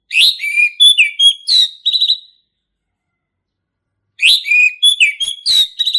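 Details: Male orange-headed thrush in full, vigorous song, used to teach young birds: two long phrases of mixed whistles, downslurred notes and quick trilled chips, separated by a two-second silence, clean with no other sounds.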